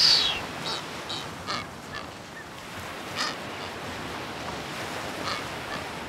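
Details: Blue-footed booby on the Galápagos, during its courtship dance ritual, gives faint, short, reedy calls in an irregular series, roughly one every half to one second, over a steady hiss of surf.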